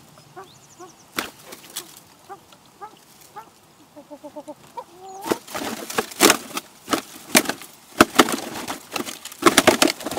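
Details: Wild common pheasants courting and mating at a garden bird feeder in Recke, Germany, on 24 March 2021 during mating season; soft harmonic notes repeat about twice a second, then loud broadband bursts of flapping or scuffling take over.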